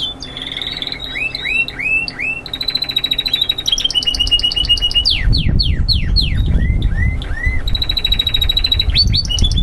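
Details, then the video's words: Young Spanish Timbrado canary song, classic continuous type: arched whistled notes in series, a metallic rolling trill, then descending sweeps over loud low rumbling background noise. "Timbrados clasicos or continuos /spanish timbrado classic"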